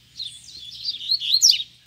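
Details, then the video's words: Rusty-collared seedeater singing near the recorder while challenging wild rivals: a short burst of quick, rising and falling twittered notes, ending in sharp high slurs. "MEU COLEIRO CHAMANDO PRA BRIGA"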